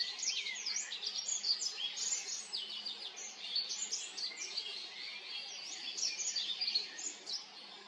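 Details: Olive-backed pipit song from Haenam: rapid, high, sibilant notes strung into long, jittery trills, with sharp upward and downward flicks, steady for nearly eight seconds over faint environmental noise.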